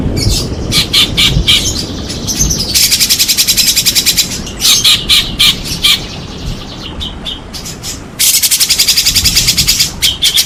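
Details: White-rumped shama song used as a lure to rouse quiet shamas into singing: bursts of very high, rapid buzzy trills alternating with short clipped notes, in a fast, varied, unbroken stream.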